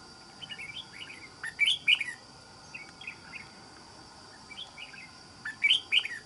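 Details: Wild-caught caged red-whiskered bulbul kept as a trapping decoy, with a good island-forest voice: short bright warbled phrases, rising and falling notes in two bursts near the start and end, over a steady high mechanical hum.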